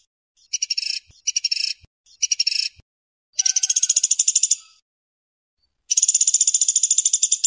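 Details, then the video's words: Woodpecker calls used as tutor recordings for songbird training: three short, high, dry rattling bursts in quick succession, then two longer rapid rattles of even clicking pulses, each over a second, separated by silence. "KOMBINASI TENGKEK BUTO PELATUK BAWANG & PELATUK BERAS UNTUK MASTERAN MURAI, KACER, CENDET, DLL"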